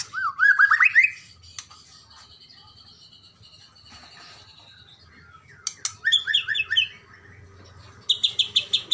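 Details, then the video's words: Medan white-rumped shama calling to provoke and anger a rival: a rising whistled phrase, a long quiet gap, then choppy descending notes and a final burst of fast, harsh rattling notes. "keretekan burung murai ini memanggil lawan bikin lawan emosi"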